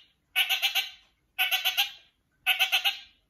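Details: A pet kakariki calling to a companion kakariki gives three harsh, chattering bursts about a second apart, each a quick run of four nasal pulses. No other sounds.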